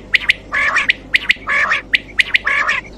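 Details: Quail (batair), recorded as a clear call for night hunting: sharp high notes in pairs alternate with harsher, buzzier rasping bursts, the pattern recurring about once a second over steady low background hum.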